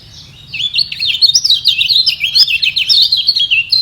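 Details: Yellow white-eye contesting its position with song, neither rival giving way: from half a second in, a steady torrent of fast, high, warbling chirps and slurs to the end.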